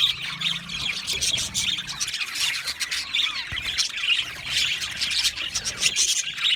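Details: Continuous budgerigar chatter from an aviary: many overlapping squeaky chirps, trills and rasping notes form a dense, unbroken high-pitched chorus.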